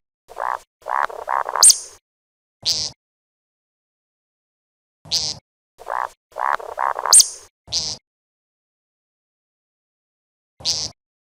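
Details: Grey francolin calls: two loud bursts of harsh, rhythmic grating phrases, each a run of four or five raspy notes followed by a higher screechy note, with single sharp notes in between and long silences.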